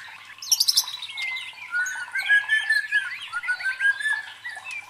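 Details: White-rumped shama (murai batu) song, used as a provoking sound to build fighting spirit in competition birds: a sharp high buzzy burst, then a rich, continuous warble of looping whistles and quick twittering notes.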